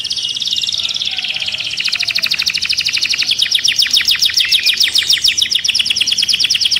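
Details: Agitated caged canary singing: a long buzzy high-pitched trill of rapid repeated notes, shifting after about two seconds into a faster, clicking series of sharp pulses that runs steadily to the end.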